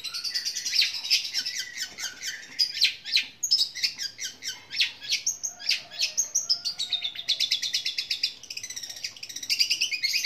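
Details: A long-tailed shrike sings a long, loud, powerful mimicry song imitating fighting sparrows: a high, unbroken chatter of fast scratchy chirps and sparrow-like notes, about three a second, with brief clearer whistled phrases.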